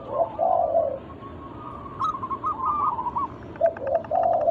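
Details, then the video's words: Lure song of local zebra doves to encourage others to sing: low rounded coos open and close the passage, with a wavering run of quick higher notes between them. "Pancingan burung perkutut lokal alam gacor suara mengundang bunyi langsung emosi"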